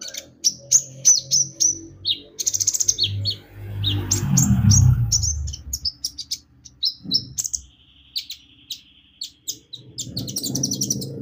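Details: Javan white-eye song used as a lure to get birds singing: rapid series of high, thin chirps and short sharp notes, many per second, with brief trilled bursts and a low rumbling noise in the middle.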